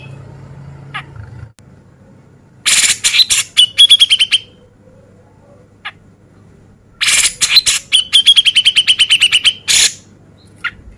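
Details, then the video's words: Grey-cheeked Bulbul male in full beset ngepik song, a training recording for contest birds. Two loud bursts separated by silence, each a rapid run of rasping notes ending in fast, sharp ticking phrases. "Cucak Jenggot Gacor Mewah Beset Ngepik"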